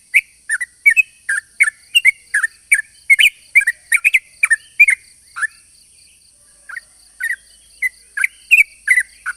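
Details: Sooty-headed bulbul in a long, active song meant to attract other bulbuls: rapid bubbling chirps about three per second, a brief lull near six seconds, then the chattering run resumes; steady high whine throughout.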